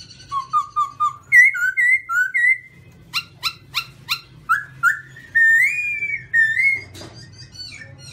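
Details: Black-throated laughingthrush, white-cheeked form, singing: clear whistled notes in quick runs, first low and level, then higher rising phrases, a burst of short sharp notes, and a long rippling whistled trill near the end.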